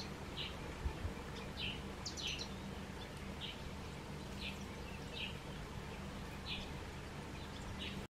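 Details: A Green-winged pytilia bathing in a natural rock pool at Mopani camp, Kruger National Park, South Africa, gives short, high chirps, about ten in eight seconds at an uneven pace, over a steady low background hum.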